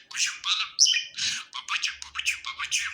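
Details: A happy pet budgie warbles in a quick run of squeaky, gritty chirps with one bright high whistled note.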